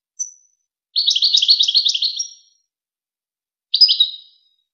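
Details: Tutoring-tape goldfinch song for young birds and hybrids: a high thin note, a sustained run of fast tinkling twitters, then a brief slurred phrase.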